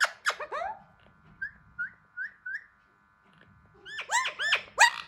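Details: A hand-tame Alexandrine parakeet mixes harsh falling calls with four soft, evenly spaced rising whistles, then a flurry of loud arching squawks, while trying to speak.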